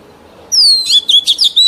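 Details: A mature wild Oriental magpie-robin's song, used to train young birds to sing. After half a second of quiet, a long high whistle slides down, then quick warbled, twisting notes follow in rapid bursts.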